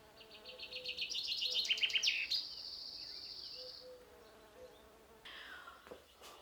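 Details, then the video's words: A common chaffinch's territorial spring song from a treetop: a rapid high phrase builds into a rattling roll ending with a sudden flourish, followed by a long fading note and a later brief sharp call. "On vous a fait entendre le chant du pinson."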